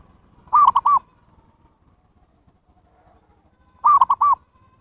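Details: Lure recording of a zebra dove for attracting wild birds: two identical three-note cooing phrases, long-short-long, about three seconds apart, with quiet between them.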